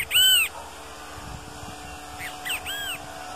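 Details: Great kiskadee in nature: one loud, arched, slurred whistle, then after a gap a softer group of curved whistled notes, over a low steady background hum.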